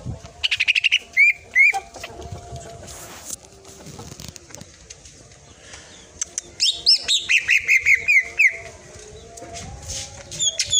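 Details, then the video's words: Green leafbird (cucak ijo) in a tutor recording for training cage birds, sung in full 'tembakan' bursts: rapid volleys of sharp whistled and chirping notes. Pauses with quieter background rustling fall between the bursts. "masteran. cucak ijo//full tembakan"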